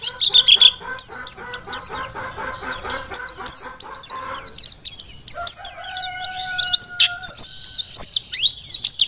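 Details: Wild-caught Merapi Mountain white-eye singing hard: rapid high chirps and twitters repeated in quick succession, accompanied at first by lower rhythmic chattering and later by a couple of drawn-out lower tones.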